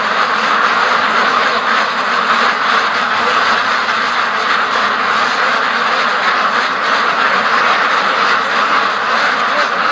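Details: Free-range ducks from a flock of over 650, rushing between home and the lake, raise a dense, continuous wall of overlapping quacks and chatter that holds steady for ten seconds with no pauses.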